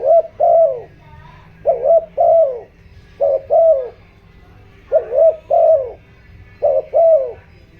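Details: Spotted dove giving decoy cooing meant to stir wild doves, in the rural 'giọng đồng' voice: five steady couplets of husky, mellow coos, each short note followed by a fuller drawn-out one, spaced roughly 1.5 seconds apart.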